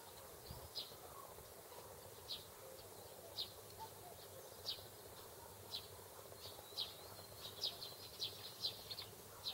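A Bluethroat gives short, sharp high calls about once a second, then in a quicker cluster near the end, over a soft background hiss.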